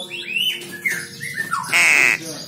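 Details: Young crow with thin, sliding squeaky notes, then one loud, grating, hoarse squawk near the end, with human voices and music faintly behind.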